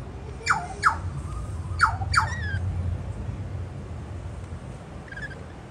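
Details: Rainbow lorikeets feeding on white bread on a patio give four loud, harsh, descending squawks in two quick pairs within the first two and a half seconds, followed by quiet with one faint chirp near the end over a low background rumble.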